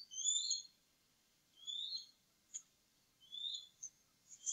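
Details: Eagle nest on the Upper Mississippi River Refuge in early April, where two adult males eat leftover food after feeding the eaglets; faint, thin whistled notes repeat about every one and a half seconds, with short sharp clicks between them.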